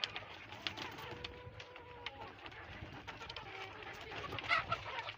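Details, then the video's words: Hens and roosters in a farm barnyard coop, some trying to lay eggs, give a jumble of short, harsh squawks and clucks, with a drawn-out wavering cry early on and a shrill outburst near the end. "Screaming Chickens, My Crazy Chickens love to Scream, The Funny Noises Chickens Make"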